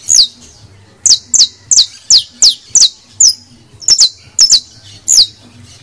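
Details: Song of the canario de tierra criollo, the saffron finch, played to stimulate singing: a dozen loud, piercing downward-slurred chirps, mostly in quick pairs and triplets separated by short pauses, over a quiet low hum.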